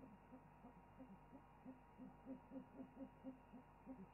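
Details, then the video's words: Owls hoot together in a chorus of low, soft hoots, about four a second, overlapping and uneven, over a steady electrical hum; afterwards an owl preens and settles down. "an owl chorus"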